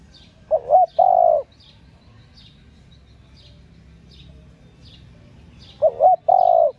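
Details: Female spotted dove calling to arouse males. Two mellow, low phrases about five seconds apart, each opening with a quick wavering double note and ending in a long, level coo, over light high-pitched chirping of other birds.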